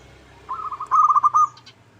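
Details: Lure recording of a local zebra dove meant to provoke rivals to reply: a rapid string of clipped, bubbling coos that grows louder, then ends in a few stronger accented notes, with a faint higher trill.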